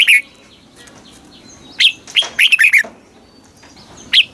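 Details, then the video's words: Caged red-whiskered bulbul from Thailand, southern master-song style used to rouse caged birds and teach young birds; scattered bright whistled notes, with a cluster of quick falling chirps in the middle and isolated single notes at either end. "เสียงนกกรงหัวจุก ร้อง ริก เปิดให้นกฟัง ยั่วให้นกคึกจัด"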